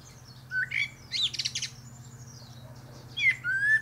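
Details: A common blackbird singing atop a pear tree gives a fluty, mellow whistled phrase ending in a squeaky twitter, then starts another rich whistle, over a faint low hum.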